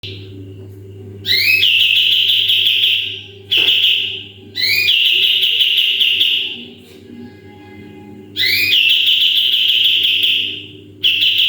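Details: Sooty-headed bulbul in full 'tembakan' style, used as a training model for other songbirds: loud, sustained high whistles, each opening with a quick upward-sweeping flourish. The bursts are separated by short quieter gaps, over a steady low background hum.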